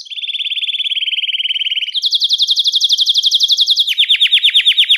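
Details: Song of a Belgian canary, meant to lure and call other canaries: three steady rapid trills in turn, a lower roll, a higher bright one, then slower falling notes, with no other sound.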